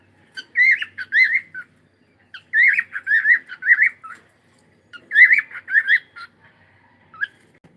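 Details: Pet cockatiel on a live broadcast uttering three bursts of rapid warbling, zigzagging whistled notes, each burst about a second long with silent gaps between, ending in a single short chirp.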